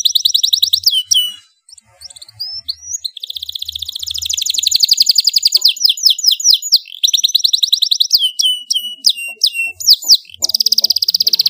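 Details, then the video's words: Loud domestic canary song for tutoring young birds: high trilled rolls, a short gap, then extended rapid buzzy trills mixed with sharp whistled slurs and abrupt switches between phrases. "kenari GACOR suara LANTANG cocok untuk MASTERAN dan PANCINGAN kenari BAHAN dan Paud"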